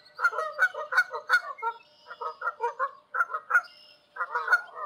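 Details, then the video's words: Honking of wild Canada geese passing high overhead in a large open space in Canada, rapid two-note nasal honks from several birds in bursts separated by short gaps. "Canada goose sounds in large space somewhere in Canada. Wild goose call in flight."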